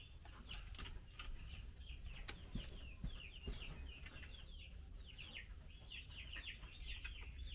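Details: While taking mealworms, a female Chinese hwamei calls the male with a dense run of clear, downslurred chirps, often doubled or tripled, plus scattered clicks and light rustling.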